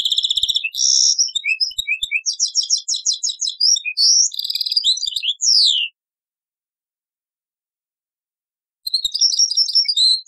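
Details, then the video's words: Old cassette recording of a European goldfinch in taqsrain song: long run of fast metallic twitters, rattling trills and upward-sweeping notes, a silence of about three seconds, then another short twittering burst. "تغريد تقصراين من كاسيت قديم"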